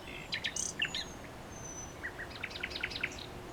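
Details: Fairly quiet common nightingale song: mixed chirps and a thin level whistle, then a run of short repeated notes that quicken, with low background hiss.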